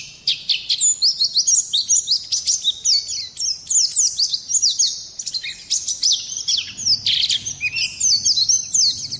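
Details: High, rapid twittering song of an Oriental white-eye, thin slurred notes tumbling up and down in an almost unbroken chatter, briefly pausing near the middle before resuming.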